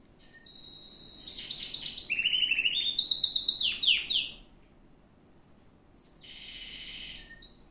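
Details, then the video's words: Gloster canary song with fast rolling trills that step downward in pitch, a few sharp descending whistled notes, a short pause, then a softer sustained rolling trill. "Canto do Canario - Best Canary Singing - Gloster"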